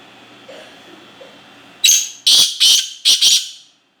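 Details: Black francolin, locally called kala teetar, giving one loud harsh phrase of five grating notes in quick succession, the last two run together, after near silence with faint low background hum.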